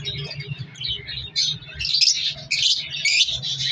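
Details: Captive African lovebird colony in breeding season: scattered chirps that build into louder bursts of shrill squeaky calls, over a low mechanical hum.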